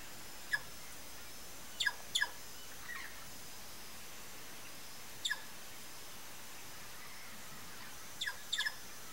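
Sayaca Tanager giving short, high, squeaky call notes, single or in quick pairs, spaced a few seconds apart over a steady low background hum.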